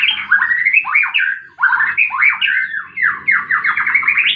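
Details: White-rumped shama fighting, a recording meant to coax silent birds into singing: fast, tumbling whistled notes sliding up and down, with a short gap midway before the rapid phrases continue.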